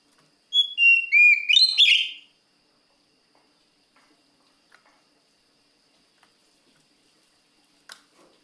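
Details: Oriental magpie-robin (kacer) singing to call a rival: one loud burst under two seconds of clear whistled notes, several slurring downward, ending in a dense, rich phrase, followed by near silence with a few faint clicks.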